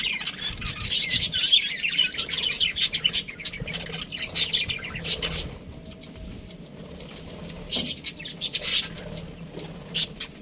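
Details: Budgerigars chirping in a steady run of short, bright high-pitched chirps and warbles, with occasional louder squawky notes and a soft low background hum.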